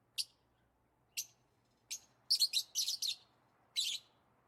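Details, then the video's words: Lovebirds chirping, as they do when playing, eating or excited: spaced single sharp high chirps about a second apart, then a cluster of harsher, buzzy double chirps, and one more chirp near the end, over a faint low hum. "Lovebirds Chirping Sounds"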